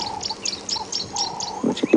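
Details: Several tawny-flanked prinias in a feeding bird party at Djuma Game Reserve, South Africa, on a morning in April 2016, one beating a caterpillar, give short, high chirps in quick succession over a steady lower whistle-like tone, with a few soft knocks near the end.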